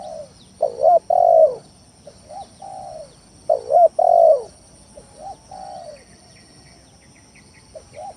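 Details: Spotted dove lure song for provoking rivals; low mellow coos in phrases of a loud stuttered double coo and drawn-out falling coo, followed by softer short coos, with faint high chirps from other birds in the background.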